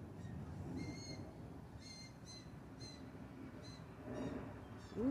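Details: Loud juvenile blue jays, about three young some two months old, begging in the wild while their mother tries to feed them and teach them to feed themselves; thin, harmonic calls repeated roughly once a second over a heavy low rumble.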